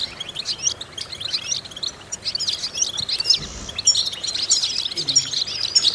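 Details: Training song of a European goldfinch meant to stimulate captive singers: scattered high tinkling chirps and short trills, with a few sharper ringing notes and brief faint lower rumbles between phrases.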